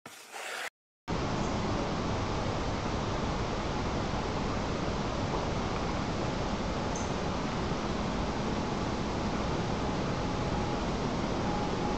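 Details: Steady broadband rushing noise, like a fan or engine, fills the clip after a brief dropout, with no animal voice standing out.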